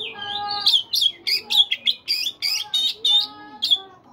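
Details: Caged Oriental magpie-robin singing in the morning, a lively run of loud whistled notes broken by coarse buzzy chips, each burst clipped and repeated about twice a second.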